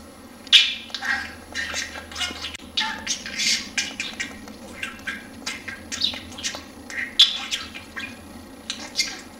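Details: Male budgerigar kept as a household pet, courting a small female finch; continuous busy warble of clicks, chirps and buzzy notes, several sharp squeaks, low hum underneath.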